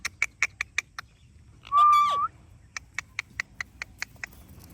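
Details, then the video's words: A pet talking rose-ringed (ringneck) parakeet gives one steady, nasal, whistled note about half a second long, between runs of quick, even clicks or taps. "Talking Parrot"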